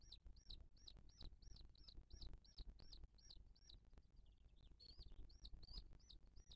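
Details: Booted eagle recorded at a nest in 2023 by a live nest camera as the female feeds her chick. Around seventeen thin, down-curving whistles repeat at an even pace, with a short break, over a steady low hum.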